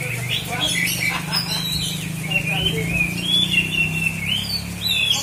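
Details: In Aceh Selatan, Indonesia, a hobbyist's Oriental magpie-robin sings rising and falling whistled phrases while people talk nearby and a low droning hum runs underneath.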